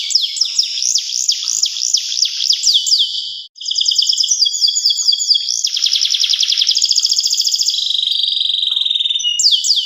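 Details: Local canary, kenari lokal, singing in full-length style: rapid loud sweeping trills repeated many times, then a brief pause, followed by fast buzzy rattling phrases and steady chattering trills, all high and bright.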